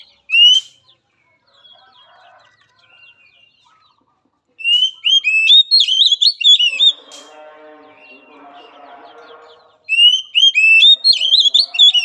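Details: Oriental magpie-robin singing for a timid, weak-spirited bird: three bursts of bright rising whistles and jumbled warbles, separated by quieter stretches of faint low chattering from other birds.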